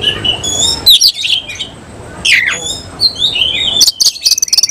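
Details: Semi-Cililin oriental magpie-robin bursting into song while displaying and opening its tail; loud twisting whistles and harsh squeaky notes, a sweeping downslurred phrase midway, ending in a rapid rattling trill of high clicks.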